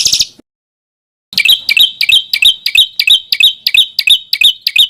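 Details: Small bird singing for an Indonesian contest-bird training recording: after a pause, evenly spaced twisting whistled notes repeat roughly four times a second, each with a sharp attack.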